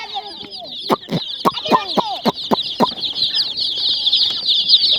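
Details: Many colourful baby chicks of a hen peep continuously in high, sharp overlapping chirps, broken by several loud dry clicks or knocks.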